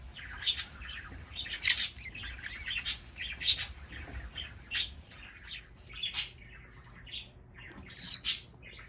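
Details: Green-cheeked conure kept as a pet in Aichi, Japan, screaming during play: sharp, high shrieks spaced about a second apart, broken by short gaps of quieter chatter.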